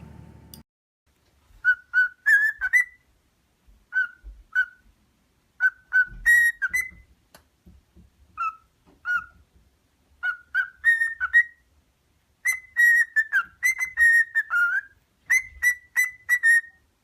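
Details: Cockatiel (Nymphicus hollandicus) whistles a series of clear, pure notes that slide and waver around one steady pitch.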